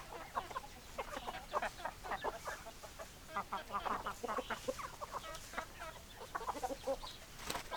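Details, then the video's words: Many chickens cluck and chatter together in short, clipped notes, irregular and overlapping, with a faint steady background hum of the flock. "Chicken Sounds Noises Hens Clucking Roosters Crowing"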